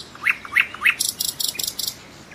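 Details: Three rising slurred notes from a nightingale, each about a third of a second apart, then a fast pulsed buzzy rattle in short bursts.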